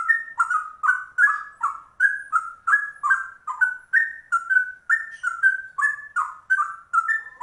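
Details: Trucuk bulbul in full rolling ropel song reminiscent of cucak rowo, a long unbroken stream of sweet, gurgled whistles in fast pulses, pitch flicking up and down, nothing else heard.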